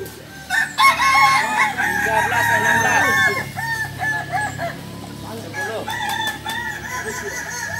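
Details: Balenggek chickens competing in a Sunday crowing contest, landiak class, Ampang Kualo, Solok city; layered, long stepped crows from multiple roosters, a loud burst early, then a series of shorter wavering phrases.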